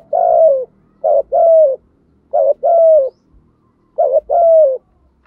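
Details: Spotted dove in the 'giọng thổ' voice style, giving urging coos and calls meant to draw in wild doves: three paired phrases, each a short soft coo followed by a longer drawn-out hooting note, about a second apart.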